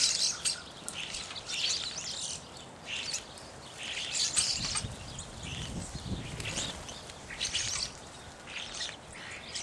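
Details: Evening grosbeaks (Coccothraustes vespertinus) calling: a busy stream of high, clipped chirps and burry notes overlapping almost without pause, as from a calling flock.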